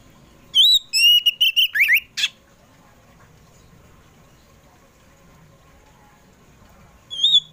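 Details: Oriental magpie-robin (kacer poci) in the afternoon, song used to lure pet birds into singing: a rapid series of whistles and slurred notes ending in a harsh rasp, silence, then a brief whistle.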